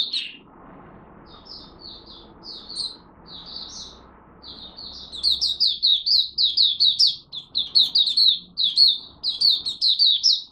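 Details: Caged Malaysian oriental white-eye opening its song in its first warm-up of the day on 1 August 2023: faint at first, then rapid runs of high, thin chirped notes strung together almost without pause, with low room rumble beneath.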